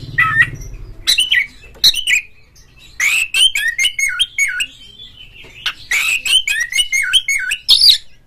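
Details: Varied Oriental magpie-robin song: short whistled phrases, then long strings of quick, wavering, warbled notes and sharp clicks, used as a rival-provoking lure to make a kept bird sing hard and open its tail.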